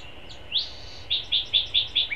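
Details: Long-eared owlets flexing their wings at the nest, seen on a live cam, give a high, rising squeal, then a quick run of five short, thin squeaks about one every fifth of a second, over faint background hiss.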